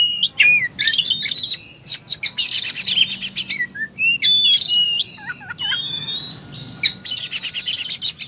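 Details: Oriental magpie-robin in full combative song, throwing out varied learned phrases: sharp chips, buzzy rattles, looping whistles and a few low hooked notes, each burst short and abruptly switching style, with brief silences.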